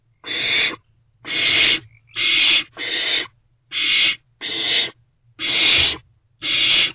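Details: Barn owl owlet in a nest box at night, 16 March 2024 around 1:22 am, swallowing a newly delivered rodent; eight harsh, breathy hissing screeches, each about half a second, repeated roughly once a second.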